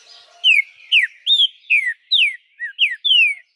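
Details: ['Caged green-winged saltator recorded 2 August 2020 in Araruna, Paraná, Brazil, its song meant to stimulate other birds to sing: loud clear whistled downslurred phrases, about eight notes in quick succession, with a faint softer bird before.']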